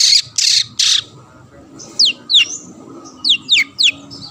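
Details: Long-tailed shrike singing to goad rival shrikes: three loud grating rasps, a short gap, then several sharp whistled notes dropping steeply in pitch.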